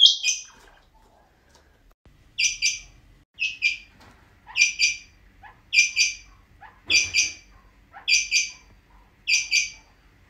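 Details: Kept rain quail giving a steady series of about eight high, clipped paired notes roughly once a second, with faint low knocks and rustles between calls.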